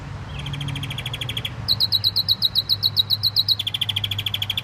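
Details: Caged pet canary in full song, delivering rapid high rolling trills that switch pitch between phrases, from a steady mid trill to a higher, sharper roll and back again, over a faint low hum.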